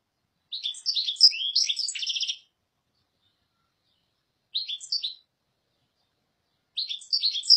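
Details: European goldfinch singing in three bursts of rapid, liquid twittering and tinkling notes, a long phrase of nearly two seconds followed by two shorter ones after pauses; no other sounds.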